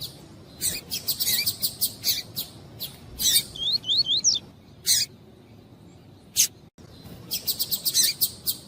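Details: Female double-collared seedeater of the tui-tui type calling to excite a male: dense bursts of sharp high chirps and clicks, a short run of rising upslurred notes, then a pause and renewed rapid chirping.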